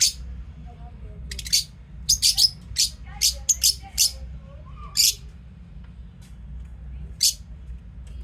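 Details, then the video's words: Lovebirds chirping through their daily routine: a run of quick, high, scratchy chirps in irregular bursts, some closely grouped, over a soft low background hum. "Love birds singing sound and chirping sound"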